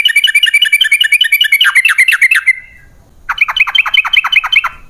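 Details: Yellow-vented bulbul delivering a fast bubbling chatter, rapid downslurred notes in a continuous run, a short silence, then another quick burst; a lure recording for caged birds.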